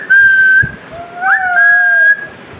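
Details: Pet parrot kept indoors, addressed by its owner, giving long steady whistled notes, one sliding upward in the middle, with a lower whistled line beneath, over a human voice repeating the bird's name.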